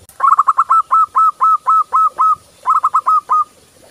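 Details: Local zebra dove in full voice, sung as daily training for other doves: a fast stutter of short notes into a long, even series of ringing notes, then a second shorter phrase of the same pattern.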